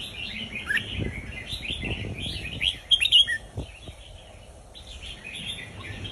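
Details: Red-whiskered bulbul song, a folk-style southern song played for teaching young birds; quick chattering and warbled phrases in a high band, bursts close together, with soft low rustles and knocks beneath.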